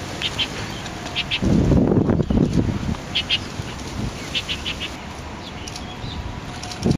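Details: Chestnut-tailed starlings, introduced or escaped birds, at a riverside park in Dazhi, Taipei, on 10/5/2012, give short, high chirps, often in quick pairs, repeated through the clip, with a brief burst of low fluttering and rumbling early on.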